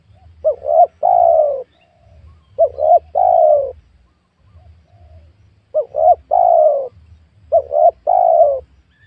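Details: Spotted dove at a young oil palm plot where wild doves are being lured: four phrases, each two quick rising coos then a long soft falling coo, spaced in irregular pairs.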